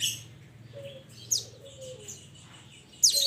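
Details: Pied Bushchat (mountain mantenan) calling its companions: two sharp, very high down-slurred notes several seconds apart, with soft low whistles from another bird between them.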